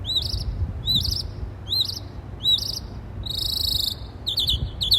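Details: A bird chirping in trees, communicating with other birds: bright, rising-and-falling chirps repeated about once per second, then a flat buzzy trill and quick doubled notes, over a low steady rumble.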